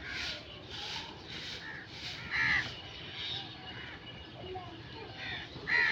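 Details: Crow calling, harsh cawing notes in a short series, a few louder caws near the middle and end over steady background hiss.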